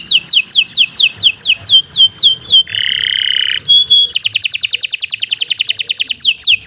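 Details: Canary alternating a string of descending whistled slurs with a harsh nasal buzz, metallic chips and a fast, bright, extended trill, sung loudly and without pause.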